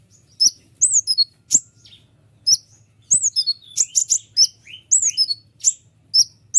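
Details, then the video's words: White-winged triller singing densely, used for training kolibri ninja and lazy-singing trillers: rapid strings of high, sharp downslurred notes and clipped ticks, phrases running almost without pause. "konin sayap putih unik full nembak rapat tajam suara jelas paling bagus untuk masteran kolibri ninja"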